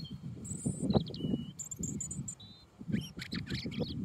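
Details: A European robin (Erithacus rubecula) sings short, high, thin whistled phrases that shift in pitch, some sliding and some trilled, over a steady low rumble of wind.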